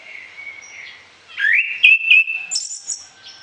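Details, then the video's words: Orange-headed thrush song full of varied fill phrases, meant for training other birds mornings and evenings; a sustained whistled tone gives way to loud, rising, rich warbled phrases and a high ringing ending. "ANIS KEMBANG GACOR DOOOR, VARIASI ISIAN"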